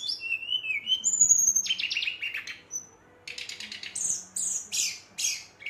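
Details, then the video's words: Brown-chested jungle flycatcher at night, singing to provoke other birds: short whistles and a long high whistle, then rapid buzzy chatter and separate loud chirps repeated about every half second. "SRDC Gacor Ngeroll, Sikatan Rimba Dada Coklat ngamuk memancing emosi srdc lain"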